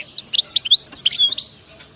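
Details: Short burst of wild-type European goldfinch song in btebta style: quick liquid twitters and sweeping whistled notes crowded together, ending abruptly, over a quiet background.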